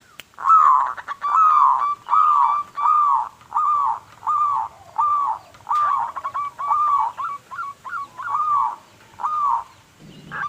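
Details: Local zebra dove singing actively, used as a lure to prompt other doves to sing: a steady series of clear, hooked cooing notes, each slightly rising then falling, repeated a little over once per second, in a quiet background.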